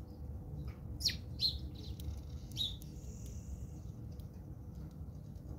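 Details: House sparrows fighting in South Africa; three sharp, bright chirps in the first three seconds, then a thin drawn-out squeak, all over a steady low hum.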